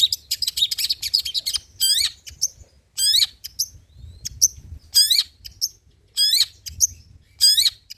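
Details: Long-tailed shrike, or cendet, singing old-style 'materi jadul' song material: a rapid buzzy chatter, then loud harsh bursts of stacked rising notes roughly every second, with brief high chirps between them.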